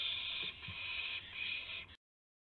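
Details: Owl at 12:25 AM on April 7, 2016, as a gopher is delivered: continuous rasping, hiss-like screech lasting about two seconds with slight breaks, then silence.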